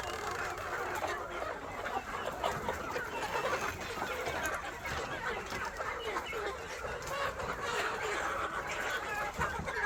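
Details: Dense, continuous chatter of many KUB chickens on a farm in Aceh Besar, overlapping clucks and squawks forming a steady din with no pauses.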